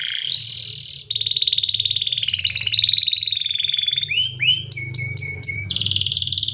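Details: Canary singing, meant to prompt other canaries to sing: long, steady rolling trills that drift slightly lower, followed by a few sharp rising notes and a closing high, rapid trill.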